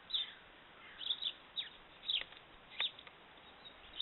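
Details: Austrian great spotted woodpecker recorded in January 2017: brief piercing high-pitched notes, scattered irregularly about once every second or two, with a few soft clicks between them.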